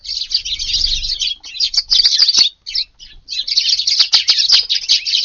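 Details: Dense, overlapping chirps from many Eurasian tree sparrows at dawn feeding in a garden on a hot August day, a continuous bright chatter broken by one short silence.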